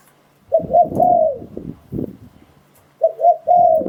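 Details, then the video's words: Spotted dove lure call for trapping wild doves: two coo phrases, short notes rising into a longer falling coo, with low thumping and rustling noise between them. "เสียงต่อนกเขาใหญ่ "ไม่มีโฆษณา ผ่านการทดสอบ - Tiếng Chim Cu Gáy Dùng Để Đi Bẫy Gọi Bổi Hay Nhất 2022."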